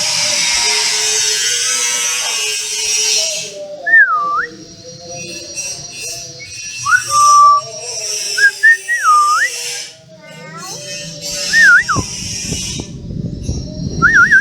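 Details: Captive hill myna indoors, shown mimicking the Islamic greeting "Assalamualaikum"; after a burst of loud hiss, a series of short clear whistled phrases, rising and falling loops, repeated about five times, with a person repeating the greeting.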